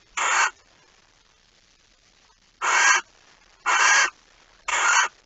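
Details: At a barn owl nest before dawn in late August 2019, when prey arrives: one rasping hiss, a two-second pause, then three more in quick succession, each breathy and noise-like.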